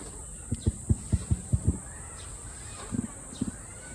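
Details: Emu at a zoo in Japan making deep, burp-like booming sounds: a run of six quick low thumps, then a pause and two softer pairs of grunts, over a steady high electrical whine.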